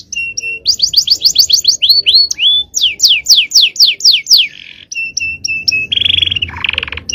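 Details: Long-duration training song of a male canary, cengkok style: short level whistles, a rapid trill of falling notes, sweeping downslurs, then buzzy rolls and clipped whistles.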